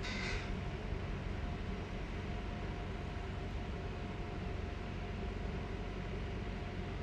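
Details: Steady, loud train or vehicle roar throughout, with a short hiss at the very start and no animal voices.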